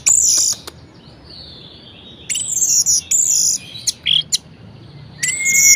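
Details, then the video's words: Lively, variation-filled orange-headed thrush song aimed at encouraging lazy thrushes to sing: very high, scratchy, sizzling bursts alternating with short pauses, closing with a thin sustained whistle. "Anis Merah Gacor Variasi Bangkitkan Emosi Anis Malas Bunyi Agar Rajin Berkicau"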